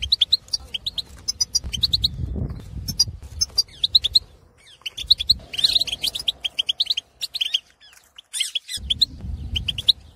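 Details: Wild Algerian male European goldfinch in breeding condition, aviary-housed, singing to rouse other goldfinches: long, varied stream of fast tinkling twitters, buzzy trills and sharp chirps over soft low background rumble.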